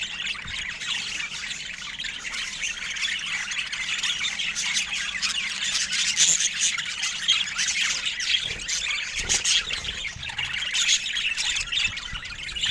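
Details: A flock of pet budgerigars keeps up steady, busy chatter for over twelve seconds: scratchy twittering, squeaks and short harsh calls layered densely with no silences.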